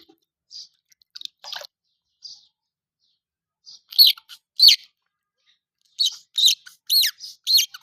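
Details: Colourful baby chickens chirping indoors: sparse soft peeps at first, then rapid bright high chirps repeated about twice a second.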